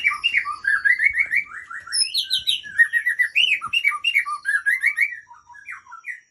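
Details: White-rumped shama, Aceh type, in fighter style with long breath: a loud, continuous run of varied whistled and chattering phrases, rapid slurred notes rising and falling, with high thin notes above, sustained for over five seconds.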